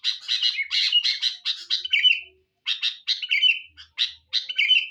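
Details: Sooty-headed bulbul lure song: bursts of quick scratchy chirping ending in a clear falling whistle, repeated with short silent gaps, loud and close.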